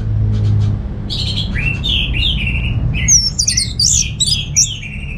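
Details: Receh-style song of a kept orange-headed thrush from Singaraja, North Bali. Falling slurred notes give way to a quick cascade of high sweeping whistles, over a steady low hum.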